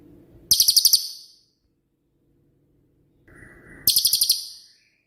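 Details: Cililin, kept as a training master for songbirds such as cucak ijo: two very high, rapid buzzy rattles about three seconds apart, the second introduced by a short flat whistle, with a low hum beneath.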